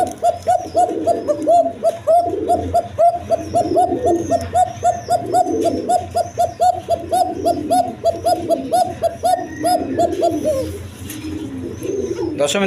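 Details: Local and foreign colouring pigeons with eggs and chicks: a long run of rapid, bubbling coo notes, several each second, mixed with overlapping calls from other pigeons, fading near the end before a brief scraping noise.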